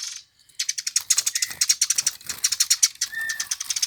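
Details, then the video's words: Sparrow prized by songbird keepers, delivering a rapid rattling series of high chips followed by a short steady whistle near the end. "Burung Gereja yang Banyak dicari Kicau Mania"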